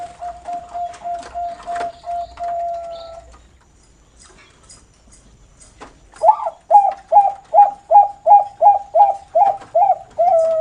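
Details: Bangkok zebra dove from a bird farm in Pamekasan, Madura, singing in the 'noklak' style: after a steady low hum and knocking noises, a fast run of about fourteen clipped, bouncing coos at a low, even pitch.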